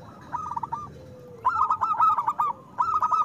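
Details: Strong-voiced local zebra dove song meant to coax quiet doves into singing: three bubbling, rapidly pulsed coo phrases, the middle one longest and loudest, against a soft constant murmur.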